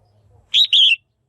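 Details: {'text': 'One crisp two-note chirp from a caged female red-whiskered bulbul, a call meant to stimulate males or for pairing; the first note short and bright, the second longer and gently dropping.'}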